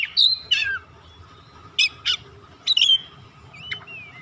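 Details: Song of an Oriental magpie-robin, used as a stimulating call for other birds: a few loud scratchy chirps and whistled slurs spaced through the clip, ending in a soft falling whistle, faint constant hum behind.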